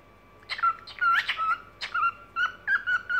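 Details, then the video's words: Evening song from a pet cockatiel, with harsh scratchy chirps leading into a series of flat whistled notes repeated in quick succession. "Вечерние распевки"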